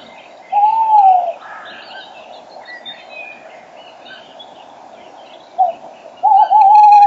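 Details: Close male tawny owl during the morning chorus on a spring day in March, 06:34: a long falling hoot, several seconds of varied songbird calls, then a short note and a drawn-out quavering hoot.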